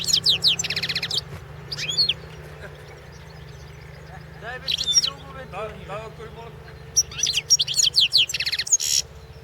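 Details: European goldfinch song from the 2016 World Championship competition: rapid buzzy trills and high twittering phrases in several bursts, interrupted midway by men talking nearby.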